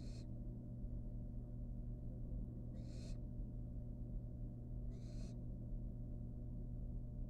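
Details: Wild barn owl fledgling in a nest box, swallowing a rat whose long tail sticks out of its beak. Scratchy hissing bursts come about every two to three seconds, backed by a droning low hum.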